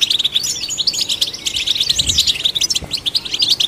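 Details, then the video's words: Goldfinch in full song, played to stir other goldfinches: a quick tumbling series of bright chirps, twangy buzzes and short liquid phrases delivered without pause, all high-pitched and lively. "Golden Songbird vocal performance to stimulate the goldfinch"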